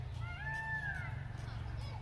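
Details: At the Chandigarh bird park in India, a distant Indian peafowl (peacock) gives one drawn-out, nasal, cat-like wail that rises then falls, over a steady low rumble of outdoor noise.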